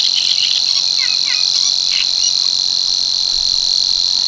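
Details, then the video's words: Continuous high mechanical reel of a Savi's warbler in the Tancat de l'Illa marshes of l'Albufera, unchanging from start to end, with a few quick chirps from another bird near the beginning. "BUSCARLA UNICOLOR en el Tancat de l'Illa - Parte 1 | 🎵 CANTOS DE AVES"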